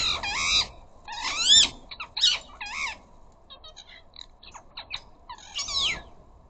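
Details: Rose-ringed parakeets, one of the flocks of up to a dozen visiting a garden bird feeder, giving loud harsh squawks with bending, rasping notes in bursts of half a second, separated by quieter chattering calls.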